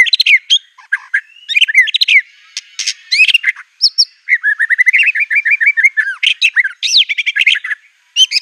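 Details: Agitated white-rumped shama pouring out a varied song stuffed with imitated canary, cililin, cungkok and lovebird material: rich, buzzy chirps, then a steady run of quick repeated whistled notes and rising slurred whistles, dense and nearly unbroken.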